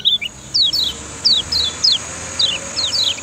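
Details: Lemon-bellied white-eye (kecial kuning) from Lombok, a training master for other birds: a series of sharp, high, descending 'ciak' notes, singly and in pairs, about eight in three seconds, with a steady faint high hiss behind.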